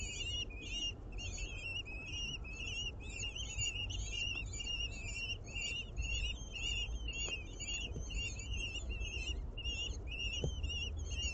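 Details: Common kestrel family at a ninth-floor building nest in Aguadulce (Almería) while prey is delivered: dense, unbroken run of quick rising-falling whistled calls for over ten seconds, with faint taps and low background noise.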